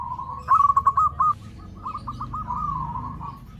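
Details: Zebra dove lure call aimed at other zebra doves: one clear burst of rolling coos, then a fainter, drawn-out trilling phrase over low background rumble.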